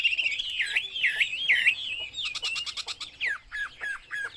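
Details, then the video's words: Chinese hwamei repeating a looping rich whistle three times in a row, followed by a rapid buzzy rattle and a series of downslurred whistled notes. "burung hwamei/wambi Joss suaranya"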